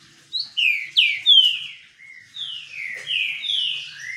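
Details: Caged green-winged saltator singing while sunbathing: loud, clear whistled phrases of slurred downward and rising notes, several in quick succession, with brief pauses between.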